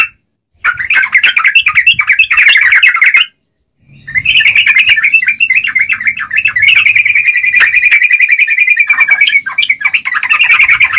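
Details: Yellow-vented bulbul (trucukan) singing in busy "gacor" style: dense, bubbly chattering notes around the upper-middle range, rapid and uneven, with a short pause near the start and another near three seconds, then nearly continuous chatter with a long steady note.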